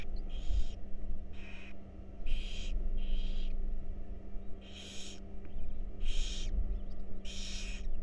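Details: Wild barn owl babies in a research nest box enjoying a meal, a series of eight harsh hissing screeches roughly every second, varying in strength, with a steady low hum behind.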